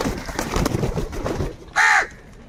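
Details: Crows fighting for food: a single loud, harsh caw of about a quarter second, arched and richly harmonic, rising then falling, following a stretch of rough, noisy background clatter.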